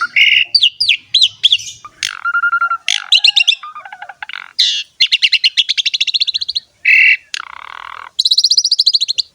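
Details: Asian pied starling singing in full voice with elaborate fill-ins: falling whistles, a flat low whistle, long fast trills of repeated chirps and a harsh buzzy note, ending in a high rapid twittering run.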